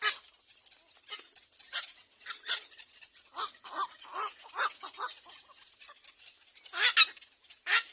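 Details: Baby little egrets at the nest screaming to be fed: loud, harsh, grating calls in rapid clustered bursts, rising and falling in intensity, with brief quieter gaps between them.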